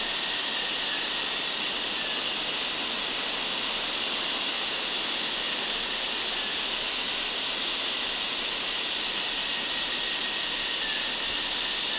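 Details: Only a steady, even hiss runs throughout, with no distinct bird or other animal calls standing out.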